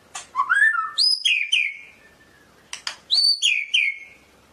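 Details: White-rumped shama of the Medan type singing two bursts of varied song, each a quick run of rising and falling whistled notes with sharp clicks, separated by a short pause.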